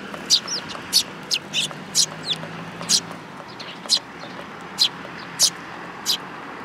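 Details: Sparrows coming to be fed at a Tenmangu shrine on 8 July 2022, giving short, sharp chirps at irregular intervals, about ten over several seconds, over a low steady hum.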